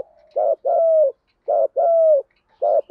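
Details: Decoy spotted dove calling to attract wild doves and train new birds: mellow low coos in two-part phrases, a clipped note then a drawn-out coo sliding down at the end, repeated three times.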